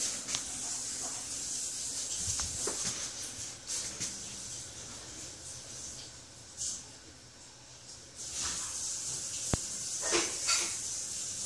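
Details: A female pet cockatoo, upset by things on her cage, gives breathy, airy hisses in uneven bursts, with a few sharper clicks and a quiet room murmur underneath.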